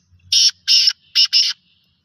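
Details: A local black francolin's rasping call of four loud buzzy bursts, two evenly spaced, a short gap, then two close together, in quiet surroundings.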